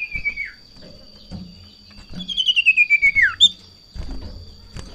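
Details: A golden-bellied gerygone in breeding condition, agitated by a rival or female, whistles a short falling phrase, then a long trill sliding steadily downward and ending in a sharp upward note. Soft thuds are heard around it.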